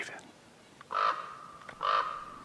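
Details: A common raven at the edge of a parking lot near the visitor centre, Algonquin Provincial Park, Ontario, on 27 October 2021, gives two hoarse, level croaks about a second apart, each roughly half a second long, against a quiet background.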